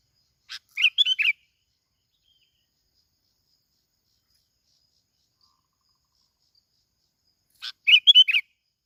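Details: Sooty-headed bulbul from Bình Thuận, Vietnam, singing the kít bổi style used as a lure: two short bubbly, warbling phrases of quick rising and falling notes, about seven seconds apart, with silence between.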